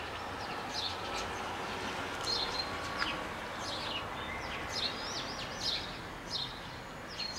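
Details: Common starling (Sturnus vulgaris) song of rapid high, scratchy, descending notes, clicks and a thin steady whistle. The phrases sound against a loud, steady rumbling background noise.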